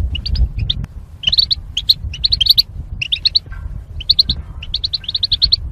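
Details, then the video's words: Goldfinches in cages, paired for mating and separated by wire barriers, in a singing-training recording: rapid runs of high chirping notes in dense clusters, near-continuous twittering with brief pauses, over a faint low rumble. "Goldfinch Chirping Sounds"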